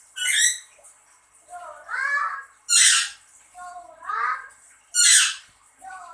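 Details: Pet lory answering its owner's calls indoors: loud harsh screeches roughly every two and a half seconds, alternating with lower speech-like mutterings between them.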